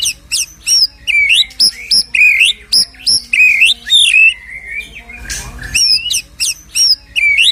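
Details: White-rumped shama singing, used to provoke a shama back into fighting mood: bright whistled phrases with upward and downward sweeps repeated rapidly, briefly broken by a short rustling noise.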